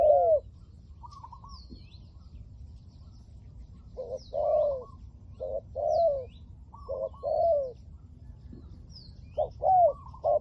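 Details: Spotted dove decoy, liu tan voice, luring wild doves: spaced bursts of low hooting coos, each a short lead note and a longer sliding coo, with soft chirping of other birds and a quiet background hum.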